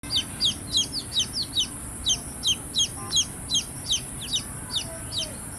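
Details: Baby chicks chirping: rapid high descending peeps, roughly two or three per second in steady runs, with a faint low hum and a constant high background tone.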